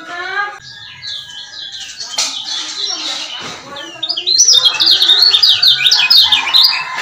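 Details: Lombok lemon-bellied white-eye male, used as a lure to rouse silent males. Mixed, harsh, squawky sounds open the passage, then a run of quick, high, zigzagging chirps builds and continues to the end.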